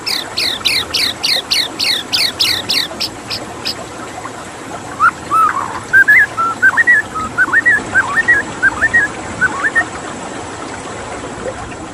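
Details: White-rumped shama with water in the background: a regular series of high sharp downslurred notes, then a long run of varied fluty whistles.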